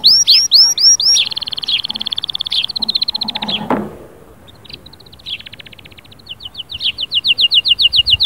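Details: Canary singing fiercely to stir a silent canary: looping whistles, a long rattling trill, a soft thud, then quieter chips building into a fast, loud pulsed trill.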